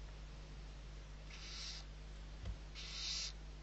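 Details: Six young barn owls being fed at Riet Vell, Ebro Delta, Spain, 21 November 2023; two moderate breathy hisses about a second and a half apart, a small knock between, steady hum behind.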